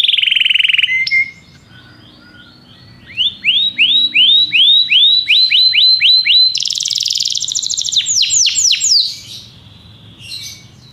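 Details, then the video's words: Belgian canary singing varied phrases: a buzzy opening roll, a pause, a long sequence of rising curved notes repeated rapidly, then a high dense trill and short chirps. "canário belga cantando"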